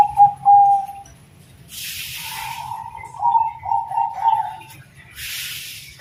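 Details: Bangkok-type zebra dove in the terasan song style, giving soft, mellow coos followed by a low rolling run of notes, with two bursts of hissing noise in between.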